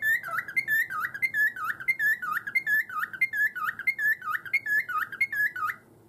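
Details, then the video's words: Pet cockatiel whistling in its cage after a bout of cage-banging: a steady, rhythmic series of bright whistled notes, each dipping down then rising, repeated roughly twice a second for six seconds in a quiet room. "壁ドンならぬ…鳥かごガンガン そして 口笛も。 オカメインコ"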